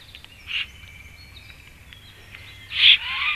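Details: Black stork in Latvia at its nest as the male returns home and the female flies away: two loud, short, harsh bursts, one early and one at the end, over a faint steady high tone.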